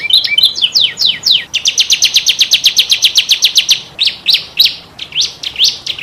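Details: A canary singing, intended as a model song for other canaries: sweeping notes at first, then a fast, regular trill of sharp descending notes, slowing into separate downward strokes.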